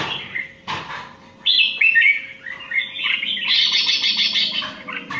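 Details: Indian red-whiskered bulbul competition song: after a sharp knock, a loud run of clear whistles slides into a dense, buzzy, chattering flourish, with a low hum behind it.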